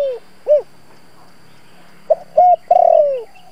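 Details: Spotted dove cooing in the local 'thổ' voice, used as a lure to stir wild doves: short arched low coos, a pause, then clipped notes and a long descending drawn-out coo, with a faint steady background hum.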